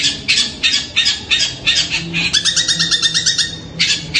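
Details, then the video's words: Nocturnal calling of a long-tailed shrike, described as sounding like a kuntilanak: spaced rasping bursts, then a squeaky stuttering trill, then one more harsh rasp. "Malam malam ternyata Cendet ini suara kuntilanak"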